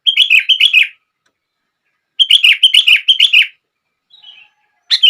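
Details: Sooty-headed bulbul singing to spur other bulbuls into song: chattering runs of rapid, rolling whistled notes in bursts of about one second, then a faint, thin note and the start of another phrase.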